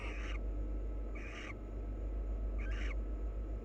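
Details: Three coarse, buzzy chitter notes from a wild barn owl pair as they preen and nuzzle each other, each about a third of a second long, over low steady background noise.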